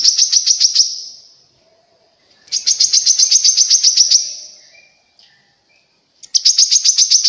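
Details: Grey-cheeked bulbul song meant to prompt other birds to sing: three bursts of rapid, high, evenly repeated chirps, each fading into a ringing tail, separated by short silences.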